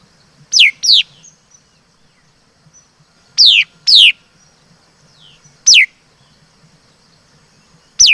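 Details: Laughingthrush, called chim mi đất, giving paired and single sharp descending whistles: two quick doubles, then lone notes, each short and bright, separated by longer silences; quiet low hum underneath.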